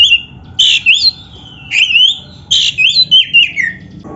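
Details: Oriental magpie-robin training song meant for beginner, lazy or reluctant kacer: loud, clear whistled phrases that slide up and down, with rich varied notes in quick bursts and brief gaps between them.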